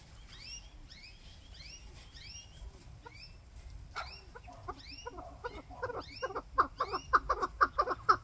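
A chukar gives a run of clucking notes that speed up and grow louder into rapid, repeated chuck calls about twice a second, over a low rumble.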